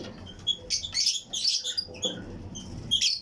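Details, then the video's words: Fischer's and lutino lovebird pairs in a colony aviary chirp with other birds; busy overlapping shrill chirps and squeaky notes in quick bursts throughout. "Fischers & Lutino Colony Chirping Sounds"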